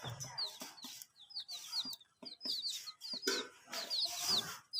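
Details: Young chicks drinking water on a veranda, peeping steadily: many sharp, high, downslurred chirps in quick succession, mixed with clicks and knocks.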